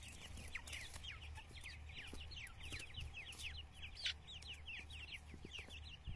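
Grey francolin chicks peep in a busy chorus of thin, high, downslurred notes, several each second, over a steady low mechanical hum.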